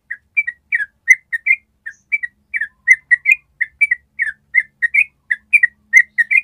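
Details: Yellow-vented bulbul singing a long trill (ropel). Short whistled, bubbly notes come in a fast, steady string of about three to four per second with uneven pitch steps, and there is no other sound.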